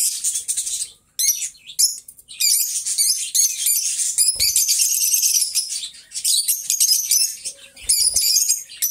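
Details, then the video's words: Two pet lovebirds, companions, singing and talking: dense high chattering and squeaky trills in long unbroken bursts, with brief pauses and a few soft clicks. "Lovebird Sounds Best Friends - Mango and Chutney - Singing and Talking Sounds"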